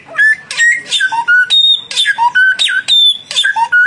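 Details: A young and a mature samyong bird singing hard in a duel: short loud whistled notes, some flat and high, some dropping, repeated in quick rhythmic pairs with brief pauses between.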